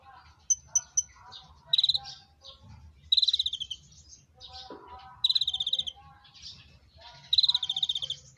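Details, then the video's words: Konin bird calling while mating: three sharp high pips, then four bursts of rapid pulsed buzzy trills spaced roughly two seconds apart, with softer twittering notes between them. "Burung konin KAWIN"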